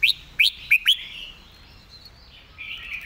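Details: Red-whiskered bulbul model song for teaching birds: four crisp, rising chirps rattled off within a second, then a softer, slurred warble that continues to the end.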